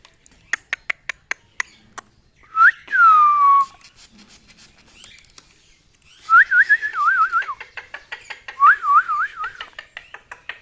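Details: Pet talking parrot at bath time, whistling: a long falling whistle, then wavering, rapidly trilled whistled phrases rising and falling. Sharp clicks and taps, like water droplets or splashing, are heard before and between them.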